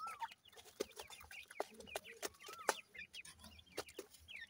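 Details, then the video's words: Grey francolin chicks feeding, uttering short downslurred peeps and higher chirps spaced about a second apart, with sharp tapping clicks scattered between them. "gray francolin little chicks feeding,teter chicks awaz"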